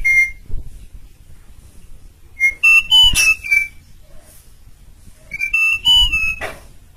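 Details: Asian pied starling, Sturnus contra, in strong persistent song used as a training model for other birds: loud whistled phrases near two to three kilohertz, rising and falling notes with sharp harsh bursts, two phrases separated by a quiet pause.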